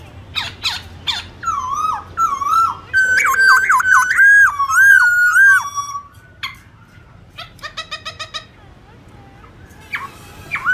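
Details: Black-throated laughingthrush singing its forest-style morning song with changing phrases: loud whistled notes with harmonics, long wavering phrases in the middle, then quieter clipped notes and a rapid series of short repeated notes.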